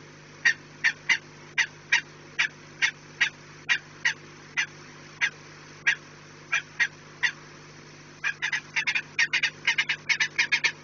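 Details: Harsh, clipped calls of peregrine falcon at a nest, recorded 4 March 2019 at 16:28, evenly spaced about every half second, then speeding into a rapid excited cackle near the end, with a steady low hum throughout.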